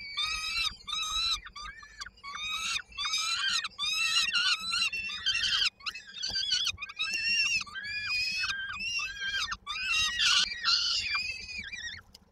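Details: Begging peregrine falcon chicks in Koszalin, Poland, 19 May 2022, awaiting their mother's evening meal delivery: loud, harsh, screechy wails repeated in rapid bursts about twice a second, each note dropping slightly at its end, with steady low hum.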